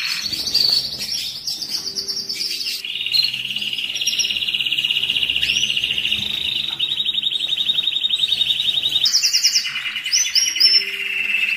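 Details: Stimulating canary song played for breeding preparation, with long sustained buzzy trills at steady pitch, brief higher whistled inserts and quick changes between trill phrases.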